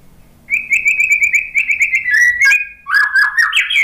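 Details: Song of a white-rumped shama used to stir a stressed shama into answering after its moult: about eight short, even whistles in a row, then sharper, rising warbled phrases.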